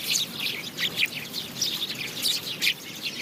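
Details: House sparrow chirping: short, bright, high chirps repeated irregularly in quick bursts over a steady background hiss, with a few louder notes standing out.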